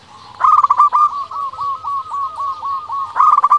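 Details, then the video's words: Lively local zebra dove, used to stimulate other doves and get them answering. A stuttered burst opens, then about ten evenly spaced, slightly falling clipped coo notes, ending in another rapid burst. "Perkutut lokal gacor suara paling di sukai perkutut sekali dengar bikin lawan langsung nyaut"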